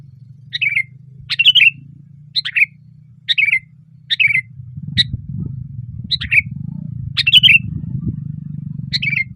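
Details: A sooty-headed bulbul sings loudly (gacor) on a branch, repeating short bubbling phrases about once a second; a low droning rumble grows stronger halfway through.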